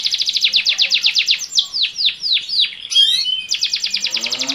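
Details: Captive canaries calling before breeding, male singing: a rapid rattling trill, a sequence of slower downward-sweeping notes, a brief burst of scratchy high notes, then fast trilling again.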